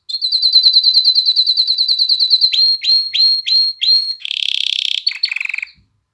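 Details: Canary song used to excite females for breeding and train chicks to sing: an even, rapid high whistled trill, then several hooked rising notes, a harsh buzzy rattle and a lower rolling trill before silence.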